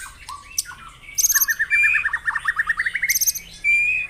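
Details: White-rumped shama song played at morning dew-airing to spur caged birds into singing: rapid runs of bright repeated chirps rising into sustained high whistles, with a level trill of evenly spaced notes near the end.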